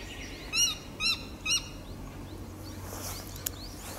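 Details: Ruddy-breasted crake giving three loud, sharp 'kyo' notes, each a short arched call rich in harmonics, spaced about half a second apart, then quiet with faint background noise.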